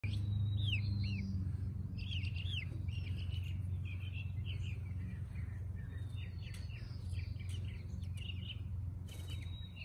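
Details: Baby chicks foraging in a backyard under shade, giving rapid high chirps, short downslurred peeps repeated several times a second over steady low outdoor rumble, with a brief flapping or rustle near the end.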